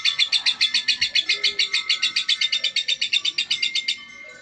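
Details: Female lovebird, said to be calm, delivering a quick volley of sharp, high chirps, around fifteen in four seconds, then falling silent at the close.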